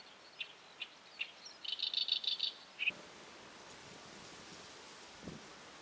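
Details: Great Reed Warbler heard on a tidal flat at high tide alongside mudskippers: a few spaced chirps build into a quick rasping rattle, then the song stops, leaving quiet ambient background for the last half.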